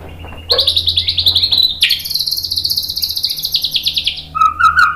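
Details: Song of a white-rumped shama meant to provoke a response: a long, sustained buzzy high trill with shrill overtones, ending in a few lower whistled notes over faint background hum.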